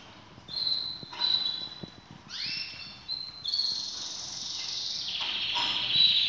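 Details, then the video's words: Song from canaries ready for breeding: high tremolo notes, sweeping upward slurs near two and a half seconds, then a long continuous bright rolling trill to the end, faint clicks in the background. "طيور الكناري كلها جاهزة للتناسل"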